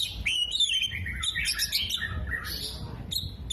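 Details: Tail-spreading Oriental magpie-robin pouring out a continuous mimicked medley of kolibri, jenggot and lovebird: descending slurred whistles, a tangle of squeaky notes and buzzy high strokes.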